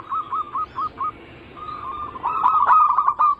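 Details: Zebra dove anggungan song used as a lure for local, Bangkok and crossing types: five short bubbly coos, then a longer rolling, trilled cooing phrase that grows louder toward the end.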